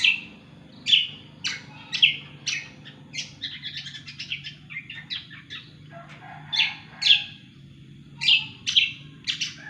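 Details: Lively cucak kombo song: loud bright chirps spaced about every half second, with a quicker twittering run in the middle. The background is fairly quiet, with only a faint low hum.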